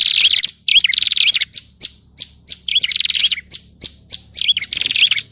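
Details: Prinia lure call used for catching birds: three bursts of rapid, high, buzzy trilled notes, each ending in quick wavering downward twists, separated by short pauses and scattered sharp ticks.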